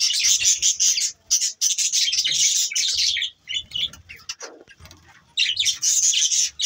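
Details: Budgies chirping at morning time, bright fast twittering in long bursts, a quieter patch with scattered squeaks and a soft lower note, then the rapid chatter returns.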